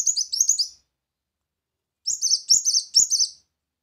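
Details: Short bursts of fast, high chirping from a brown-throated sunbird used to attract birds, two phrases separated by over a second of silence.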